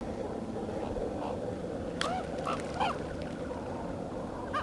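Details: A common raven "singing" in Irkutsk on 9 March 2015 gives three or four short, hoarse, arched notes in quick succession midway through, over steady hiss, with goldeneyes displaying and flying in the background.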